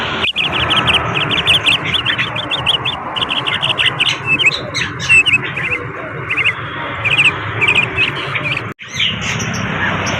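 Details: Bali myna delivering a lively series of sharp, rapid chirps and short twittering phrases, bursts repeating every second or so, against steady heavy background hiss.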